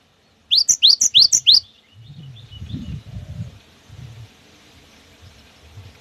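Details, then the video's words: Cinereous tit singing to provoke other birds: five quick upswept whistled notes, followed by several seconds of low rumbling and thudding background noise. "SUARA ASLI GELATIK BATU GACOR PALING WUCIT WUCIT PANJANG"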